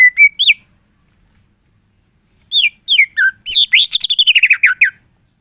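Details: Greater green leafbird singing loud full isian gacor: a rising whistled phrase, a gap, then slurred whistles that speed up into a fast, rattling cascade of descending notes.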